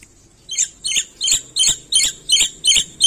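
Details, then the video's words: Black-winged myna in lively full song, used as a training recording to prompt a silent bird to answer: harsh, buzzy chattering notes repeated steadily about every 0.35 seconds, seven bursts in quick succession over a quiet background. "Suara Burung Jalak Putih Gacor Full Isian"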